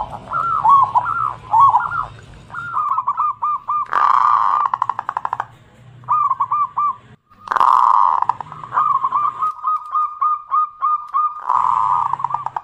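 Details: Local zebra dove used as a lure to stimulate other birds: bursts of rapid repeated cooing notes, broken by loud broadband noise bursts and brief pauses.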